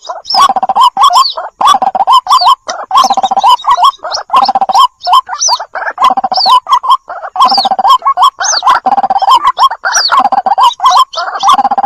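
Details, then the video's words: White-breasted waterhen lure call mixed with chick calls: dense bursts of croaking, gurgling notes and high squeaky rising whistles, repeated in rough phrases throughout, loud and continuous. "suara pikat burung ruak2 dan suara anakkan"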